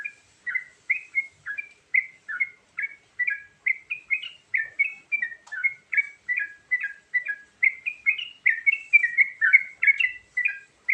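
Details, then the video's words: Varied luring song of a yellow-vented bulbul: a long even stream of short, liquid chirped notes, about two to three per second, alternating higher and lower pitches over eleven seconds against a quiet background. "Suara Burung Trucukan Isian Variasi Sangat Ampuh Buat Pikat"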